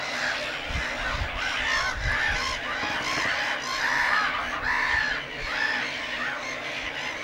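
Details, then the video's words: Lake Hornborga breeding colony of black-headed gulls, raucous cries from many birds rising and falling in waves, with low knocking sounds in the background. "Black-headed Gull colony at Lake Hornborga"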